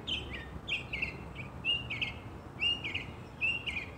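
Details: In spring in New Jersey, a northern mockingbird sings from a holly tree: bright, slurred whistled phrases, repeating similar notes in quick runs, over a low steady background rumble.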